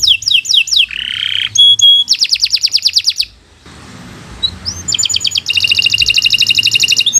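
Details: Canary singing in a training recording meant to prompt young or silent birds to sing: quick descending whistled notes, a buzzy tone, a dense high trill, a brief pause, then a long, even rolling trill.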